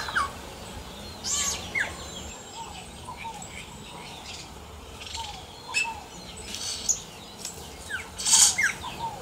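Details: Wild yellow-rumped cacique song mixing dry rasping bursts, brief whistles and a thin upslurred note, with scattered quieter chirps from other birds between the louder phrases.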